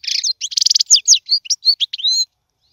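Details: Caged European goldfinch song for teaching young birds to sing: a quick run of varied high notes, buzzy trills, then short clear whistled slurs, ending after about two seconds in silence.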